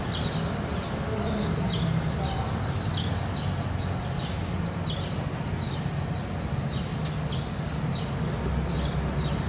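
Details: A family of Japanese white-eyes searching shrubbery for small insects on 24 August 2016 near 17:58, Canon PowerShot SX700HS; a dense run of high, sharp, down-slurred chirps from several birds overlapping continuously, with a constant low background hum.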